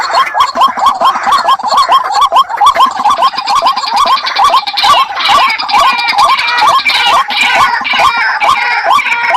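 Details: Waterhen kept as a decoy repeats a rhythmic series of short, rising kwak-like notes, more than twenty, with fainter higher chattering overlapping in the middle part.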